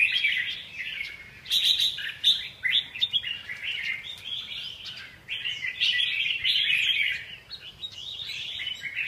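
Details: Energetic red-whiskered bulbul song: loud, fast warbled phrases of clear chirps and slurred whistles in repeated bursts, briefly dipping quieter near the end before resuming.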